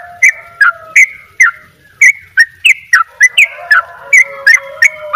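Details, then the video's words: Energetic "dobel ropel" song of a Bali sooty-headed bulbul: clear whistled notes, some slightly rising, given in quick pairs and triplets over a faint lower tone. "trycuk bali dobel ropell gacor"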